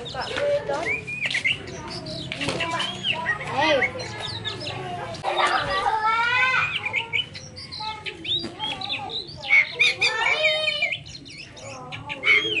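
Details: Poci bird calls in a busy, dense chatter: nasal, harmonic notes rising and falling, mixed with sharp chirps and short whistled upslurs, coming in overlapping bursts with brief quieter gaps.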